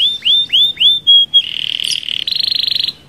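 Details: Canary rolling song for luring other canaries: four looping upslurred whistles, then a long, fast, buzzy roll that gets louder and steps slightly higher toward the end.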